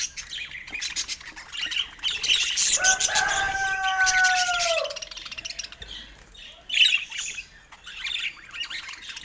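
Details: Budgies chirping: rapid, scratchy high chatter throughout, with one long, smooth whistled tone held for about two seconds that slides gently downward at the end before the busy twittering resumes.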